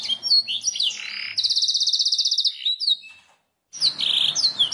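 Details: Canary master song for training birds to sing: varied chirps lead into a long, even rolling trill, a short silence follows, then swept notes and another rapid roll.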